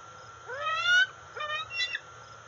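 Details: A 131-day-old juvenile female bald eagle calls near the NCTC nest on August 5, 2020, as her father brings a dark fish or eel. She gives three strong, harmonic, squealing calls that sweep upward, with a faint low hum behind them.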